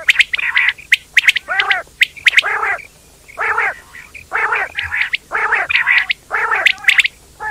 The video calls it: quail bird sound